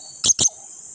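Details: Chatty blue-crowned hanging parrot calling to provoke and rouse a lazy companion: two sharp, shrill bursts in quick succession over a steady high insect-like hum, with a faint lower note from another bird.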